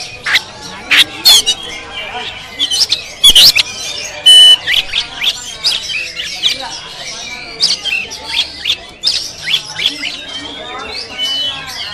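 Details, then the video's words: Oriental magpie-robin (kacer moncong) singing at a bird practice contest in Sambas, filmed on an action camera: loud, varied whistles, sharp chirps and harsh squawky notes in quick bursts, with other birds and people talking nearby. "Suara Burung Kacer Moncong"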